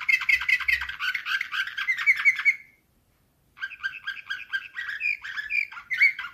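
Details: Canary trained in Slavujar, a nightingale-style song, in 2024. A rapid, rattling warble stops for about a second of silence, then a steady chain of liquid, bubbling notes follows.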